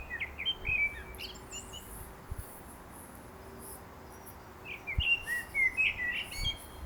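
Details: Common blackbird singing in a garden in Milton Keynes: two short phrases about four seconds apart, each a quick run of bright, warbled notes with twittering ends, with low thumps in the background.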